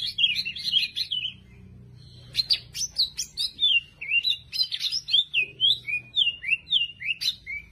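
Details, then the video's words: Champion greater green leafbird, kept as a caged song tutor, starts with a warbled phrase, pauses, then delivers a steady string of clear, downslurred whistled notes, each repeated about every half second. "Masteran Cucak Ijo Full Isian Burung Juara"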